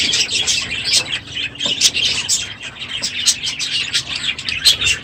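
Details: Crowded aviary of budgerigars at the end of the breeding season, calling loudly in the morning; overlapping squeaky chirps and warbling chatter with occasional sharper notes standing out.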